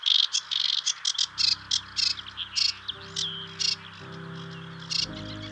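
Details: Sedge Warbler on Stains Moor in early spring, a curious, showy bird that lifts off mid-song and returns to its perch: separate harsh buzzy and chirpy notes in quick uneven succession, over steady background music.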